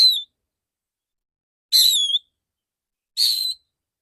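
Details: Male Oriental magpie-robin in 'tembakan' song recorded for therapy. Clear, ringing whistles slide downward, each under half a second, repeated about every one and a half seconds.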